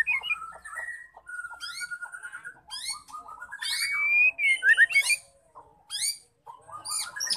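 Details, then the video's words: Female white-rumped shama singing, used to get males singing: varied whistles and dense high chatter with quick slurred notes, growing louder midway. "Murai batu betina gacor penggacor terampuh murai jantan"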